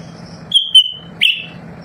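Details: Lesser green leafbird kept at home, singing constantly to make other birds respond. It gives a long level whistle, a brief pause, then a loud buzzy upswept note that trails off, with a low hum beneath.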